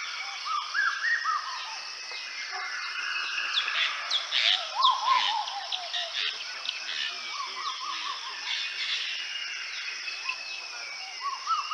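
Black-billed koel giving short, rising whistled notes at intervals, set against a dense chorus of chirping and twittering from many other birds.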